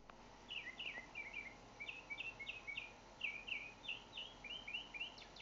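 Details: Northern mockingbird singing in Naples, Florida: a fast run of short chirpy, slurred phrases, each repeated two or three times before switching to a new one, with steady background hiss.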